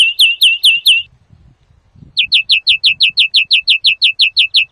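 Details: European greenfinch song for trapping and teaching: a short burst of five quick down-slurred chirps, a pause of about a second, then a long, even series of similar sliding notes about five per second.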